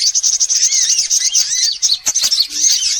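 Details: Sunbirds of all kinds in a lure recording used to attract birds: dense, high, thin chirps and twittering trills that overlap continuously, with rapid rising and falling squeaky notes.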